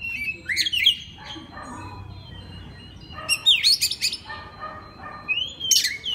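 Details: Master song of an Oriental magpie-robin for training other birds: clear whistled notes and slurred rising phrases in separate bursts, with quieter mid-pitched notes between them and gaps of near silence.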